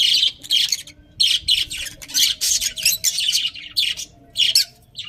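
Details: Budgies keep up a busy stream of raspy, buzzy high chirps and squeaks, packed closely together with only brief breaks, in a quiet indoor setting.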